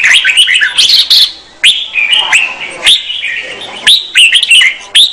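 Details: Female red-whiskered bulbul song meant to excite a male: crisp rising whistles and chirpy trills in rapid succession, interrupted by sharp clicks and one short silent gap.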